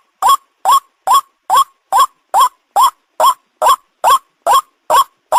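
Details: Hunting lure recording of a white-breasted waterhen: strong, harsh rising notes repeated steadily, roughly two per second, with silence between them.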